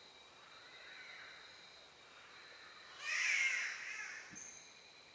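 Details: A spotted catbird (Ailuroedus maculosus) in Australia gives a single harsh, nasal, cat-like wail lasting about a second, over a steady high insect drone.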